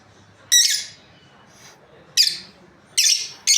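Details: Lovebirds from a breeding pair giving a few shrill, piercing chirps, each short and harsh, spaced by pauses of about a second in quiet surroundings.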